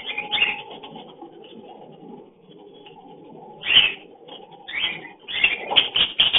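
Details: Lovebird mating call in the breeding season: harsh, squeaky chirps and chattering bursts, loudest near 4 and 6 seconds, over a steady lower murmuring chatter.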